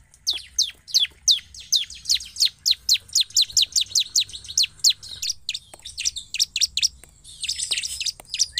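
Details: Persistent 'gacor' singing from a Bar-winged prinia, used to lure other prinias into responding: a long, steady run of sharp high descending notes, about three per second, ending in a denser, jumbled chatter.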